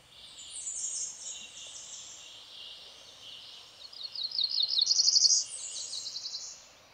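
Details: Cerulean warbler singing along streams in Missouri's Ozark Plateau; a faint high buzzy phrase early, then a louder run of quick high notes ending in a buzz near the end, over steady rushing-water noise.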